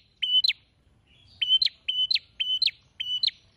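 A bar-winged prinia repeats a loud, high phrase five times at a brisk pace, each a short level whistle ending in a sharp upward flick. A faint low hum sits underneath.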